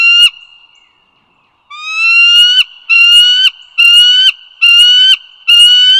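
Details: Bald eagles along the Dulles Greenway in northern Virginia, 16 April 2022, 08:55: after a short pause, a run of five drawn-out, slightly rising harmonic whistles with abrupt endings, about one per second, over a steady faint high tone.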